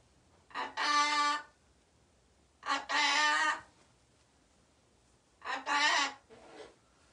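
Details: Indoors, a loose pet parrot wakes its sleeping owner with three harsh, buzzy squawks about two seconds apart, each opening with a short clipped note before a sustained rasping call.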